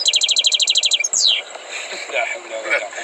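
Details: Trained European goldfinch opening with a rapid string of about a dozen identical high chirps, then a sharp descending sweep, before softer murmuring background sounds take over.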